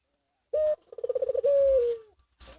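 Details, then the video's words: Barbary dove in breeding condition, played to stimulate local and pelung doves to coo and come into breeding condition: a short clipped note, a rapid rolling pulsed trill, then a long falling drawn-out coo, with thin high chirping notes overhead. "Puter Birahi"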